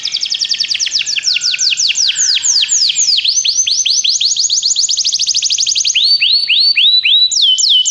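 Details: Song of a canary to set a pet canary singing: a long unbroken run of quick downswept whistled notes, roughly four a second. Pitch changes from tour to tour, with steeper notes near the end.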